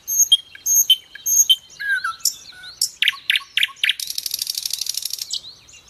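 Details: Common nightingale, known locally in Indonesia as sikatan londo, singing a training song used to teach other birds: pure whistled notes repeated three times, then sliding phrases, staccato notes and a fast dense buzzy trill.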